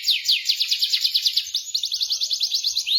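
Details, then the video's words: Canary song for prompting a stalled canary to roll: crisp fast descending notes repeated about eight times a second, flowing straight into a tighter rolled trill. "PANCINGAN KENARI MACET | Langsung Nyamber bunyi Ngeroll"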